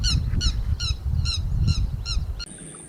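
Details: Grey-headed lapwing lure call for trapping: a steady series of seven bright, strident notes at short even intervals with low background rumble, then an abrupt cut to a thin steady tone.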